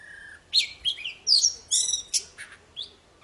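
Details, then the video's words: Poci bird singing hard, for stirring silent birds back into song: a low steady whistle, then bursts of high slurred and buzzy notes, separated by short pauses. "Suara burung poci super gacor cocok buat memancing poci macet jadi bunyi"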